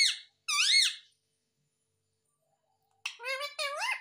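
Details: Pet parrot talking indoors, said to say "mummy" and "papa": two loud, high, nasal squawked syllables with sweeping harmonics, a silent gap of about two seconds, then a quick run of three warbling, speech-like syllables.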